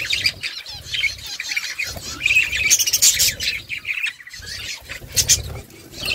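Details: Budgerigars calling to each other, a busy mix of rapid chirps, buzzy warbles and loud squawks, several birds overlapping, with an intermittent low hum.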